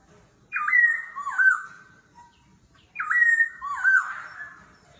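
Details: Competitive forest-voice singing by a laughingthrush that keeps changing its voice: two matching phrases about two and a half seconds apart, each a sharp upswept whistle sliding into a lower, rough-edged slur.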